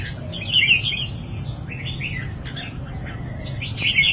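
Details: Red-whiskered bulbul singing: bright warbled, slurred phrases at a fairly high pitch, with a burst near the start and another at the end, over a steady low rumbling hum.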